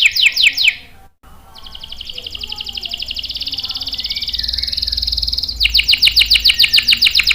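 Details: Canary song for luring and training young males: short chirps, a pause, then a long rising buzzy roll followed by fast repeated notes.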